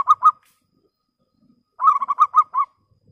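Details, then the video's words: Clear lure song of a local zebra dove, aimed at calling rivals: the end of one phrase, then after a pause a lively series of six bubbling coo pulses, the later ones stronger. "PERKUTUT LOKAL Suara jernih Biang pancingan Ampuh memanggil lawan Emosi nyahut"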